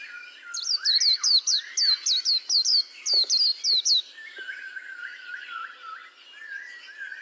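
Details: White-eye delivering a string of quick, high downslurred notes for about three seconds, then fading as lower looping whistles and chatter from another bird continue.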